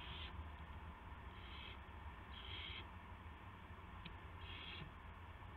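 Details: Owl recorded on March 18, 2016 at 8:00 PM, arriving with a gopher; harsh, hissing screeches about half a second long, four bursts spaced one to two seconds apart over a steady low hum.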